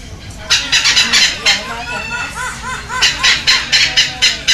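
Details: Two young captive red-lored amazons, wing feathers coming in, begging eagerly during feeding in Heredia Province, Costa Rica, May 13, 2022: two quick trains of grating squawks, separated by softer, bubbling nasal notes.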